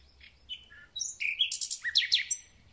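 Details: Thrush nightingale singing a full concert at the start of spring: varied whistles, short slurred notes and a burst of rapid broadband clicks and rising trills, loud and close over quiet background.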